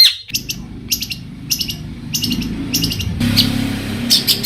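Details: Long-tailed shrike (cendet) singing variations to rouse other shrikes. Groups of high, sharp, clicking chirps recur about every half second over a steady low rumbling hum that grows louder halfway through.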